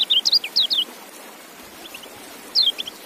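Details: A white-eye opens with a quick cluster of high, slurred, twittering notes, falls quiet, then gives a brief high descending chirp near the end.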